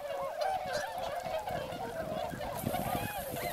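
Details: A huge gathering of swans near rice paddies at Motono, Chiba, Japan, in the October to February season, pintail ducks also present; short bugling honks tumble over one another without pause, a faint hiss appearing later.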